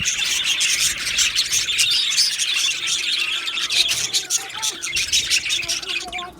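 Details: Budgerigar colony in an aviary recorded 15 July 2025, a thick wall of high chattering and squeaky chirps from many birds, with several short whistled notes rising above the din.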